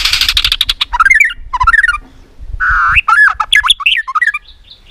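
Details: White-rumped shama in a singing contest, caged: opens with a fast rattling burst, then varied whistled phrases, a buzzy harsh note and quick looping warbles, flicking its tail.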